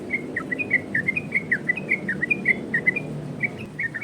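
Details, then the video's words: Yellow-vented bulbul singing a fast 'ropel' variation meant to draw replies from other bulbuls and train them; quick chain of liquid whistled notes, slightly softer, over a low steady background rumble. "Burung trucukan Ropel variasi!!! Dijamin nyaut trucukan dirumah!!!"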